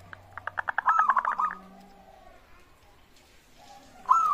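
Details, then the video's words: Local zebra dove, used as a lure to prompt other birds to sing: a fast series of short, staccato hooting notes speeding up, then a short cooing phrase at the end, with faint background noise. "pancingan burung perkutut gacor suara disukai bikin cepat bunyi langsung nyaut manggung gacor"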